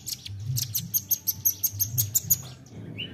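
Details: Lure sound of a nuthatch: a lively string of about a dozen piercing high chips, roughly six per second, ending in a short rising whistle, with a low rumbling hum underneath.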